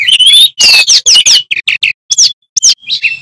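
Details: Male bamboo flycatcher in full, loud song used as a training master: rapid bursts of sharp high chirps, buzzy trills and brief whistled notes, separated by short pauses.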